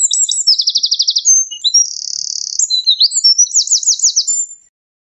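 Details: Eurasian wren song: loud, rapid high-pitched phrases mixing fast trills, a steady buzzy rattle and sharp chattering notes, delivered without pause for over four seconds.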